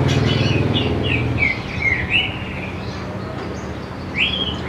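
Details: A greater green leafbird delivers loose whistled and slurred notes, used to lure young leafbirds into singing. A rumbling low background noise fades after the first second, and one rising whistle closes the phrase.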